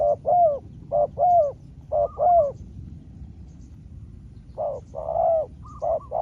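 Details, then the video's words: Spotted dove answering a smaller-voiced wild rival in a long back-and-forth duel. Short coo phrases come in bursts, three rapid phrases then a pause, then a fresh burst with a slightly different voice. Faint background hiss throughout. "เสียงนกเขาใหญ่ เจอนนกป่าเสียงเล็กคูดีคูสู้กันอยู่นานกว่าจะติดแลกกกันคนละทีทีีลุ้นมันเลย"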